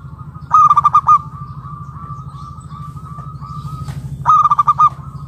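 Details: Local zebra dove with a loud, ringing voice, calling to entice other doves to answer: two bursts of rapid, pulsed, harmonically rich cooing about four seconds apart, linked by a thin sustained tone and low hum.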